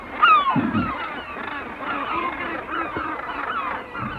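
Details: A northern gannet colony gives a dense din of harsh, grating calls overlapping without pause, with a high, falling herring gull cry near the start and kittiwakes in the background.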